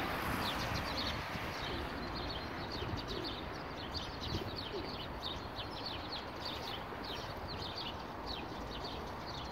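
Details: A flock of fairly plump sparrows in bushes by a street bench chirps continuously, with many short bright cheeps overlapping over a steady rushing background; pigeons may be cooing faintly; 12 April 2019, Moscow.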